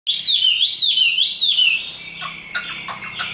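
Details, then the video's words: Tame hand-raised Chinese hwamei giving fighting song: loud whistled phrases sliding down, repeated about every 0.4 seconds, then harsher scratchy notes and short clicks. "Họa mi số 1120 Chim thuần 100% sách tay hót đấu đá rất tốt"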